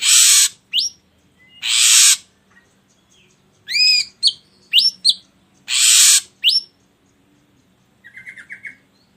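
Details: Ashy drongo song played to provoke other birds into singing: harsh broadband rasping bursts alternate with sharp upslurred whistles and quick chirps. A short trilled buzzy phrase comes near the end.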